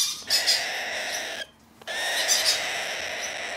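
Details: A hand-tame, domestically bred Blue-eyed cockatoo recorded 6 December 2019. It makes two rough, grating squawks separated by a short silence, each harsh and rich in high overtones.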